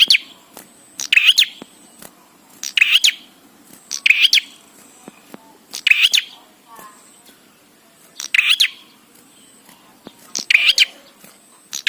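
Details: Loud, steady song of a bar-winged prinia, played to make prinias sing: rough double-pulsed bursts roughly every 1.5 seconds across eight phrases, with scattered clicks between.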